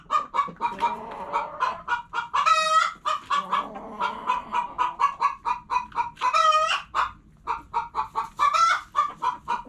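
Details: Several hens cluck continuously, a dense run of short throaty notes with overlapping calls, punctuated by three drawn-out, strained squawks.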